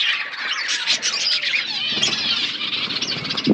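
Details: Pet budgies eating and chirping, a short burst of dense high chatter with scratchy squawk-like notes and warbles, ending in a low knock.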